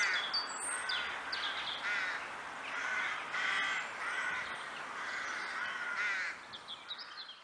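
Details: Crows in the Kloosterbos woods near Vaals calling in a steady series of raspy caws, several birds overlapping, while small birds whistle high above; the calling fades near the end.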